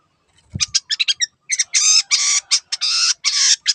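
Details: Long-tailed shrike singing actively: short scratchy notes, then longer harsh, buzzy, grating phrases, all high-pitched and loud.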